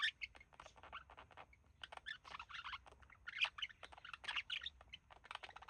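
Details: Couple of relaxed budgerigars, the male mimicking human speech; a steady stream of scratchy chirps, squeaks and short trills that run together without a break.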